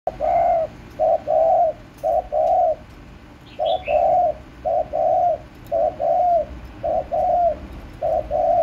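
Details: Spotted dove cooing, recorded 30 March 2024: low, mellow hooted coos in short groups of two or three notes, repeated steadily without pause through the stretch, with a faint high chirp from another bird midway.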